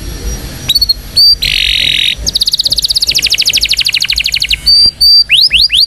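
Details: Indonesian canary singing a strong training song for young canaries: short chips, a buzzy rattle, a long rapid trill of repeated notes, then level whistles and rising slurs.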